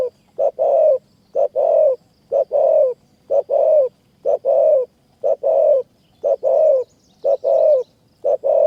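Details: Wild spotted dove in high forest near Kanchanaburi, Thailand, answering a decoy bird during trapping: steady low, soft coos in paired phrases, a brief note then a drawn-out coo, about once per second, faint thin chirps in the background.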